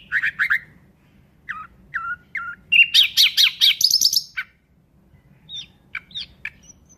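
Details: Nightingale singing a varied phrase: quick chirps, then three short slurred whistles, then a loud burst of rapid buzzy, rattling notes that climb higher, ending in scattered thin chirps, over a faint low hum.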